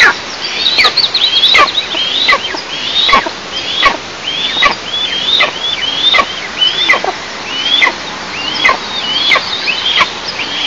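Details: Eastern imperial eagles at the nest, in oil and gas producing country, 11 July 2024. High piercing whistles repeat steadily, each one dropping steeply at its end, with sharp clicking sounds in between.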